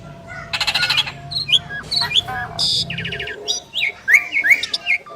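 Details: Asian pied starling duet of two birds: harsh raspy bursts alternate with chattering runs, quick upswept whistles and scattered chirps, dense and irregular throughout.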